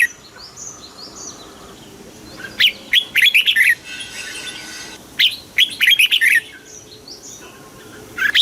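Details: Southern master-style song of a caged red-whiskered bulbul, used to excite caged birds. Faint high chirps are followed by two rapid runs of bubbly whistled notes, with a hissing background and a brief phrase at the close.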